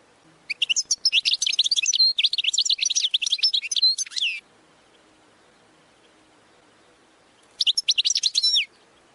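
A goldfinch sings a fast, liquid run of twittering, tinkling notes for about four seconds, pauses, then breaks into another brief twittering burst.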